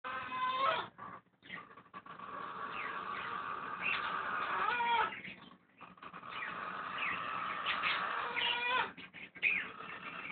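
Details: Blue-and-gold macaw snoring at night while asleep, a raspy, breathy rasp in long stretches broken by short pauses, with brief thin whistled overtones rising and falling through it; both funny and eerie.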